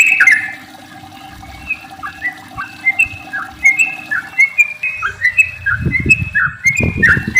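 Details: Sooty-headed bulbul singing a long rolling song meant to coax other bulbuls into song; a loud opening burst, then softer bubbly whistled notes in a steady string, with low thumping noises toward the end.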